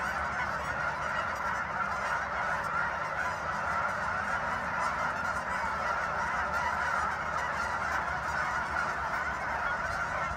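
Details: Steady uproar from a big flock of geese at Sunset Lake, Guymon, Oklahoma, with honks piling over one another without a break.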